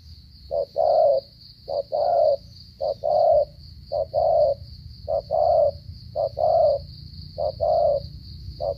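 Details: Spotted dove from Cà Mau, Vietnam, cooing with a stuttering style: short low note then a longer rolling coo, repeated steadily about once a second, over a constant high electronic whine.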